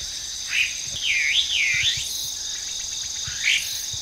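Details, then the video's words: Hwamei singing in trees in a park in Japan, where it is an invasive introduced species: looping, wavering whistled phrases that rise and fall, one long warbled run then a short whistle later, over a steady high insect-like hiss. "A Hwamei Singing Beautifully on the Trees"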